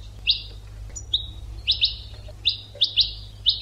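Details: European goldfinch singing for bird training: a string of short, bright, slightly buzzy notes, about one and a half per second, with one thin whistle and faint low hum behind.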